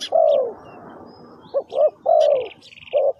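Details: Spotted dove call for luring wild birds, low mellow coos, one long and drawn out, others short, with faint high chirps and a soft trill in the background.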